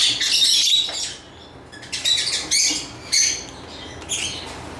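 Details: Lovebird chirping: bursts of harsh, high chattering chirps in short clusters, separated by quieter gaps, with no other clear sounds.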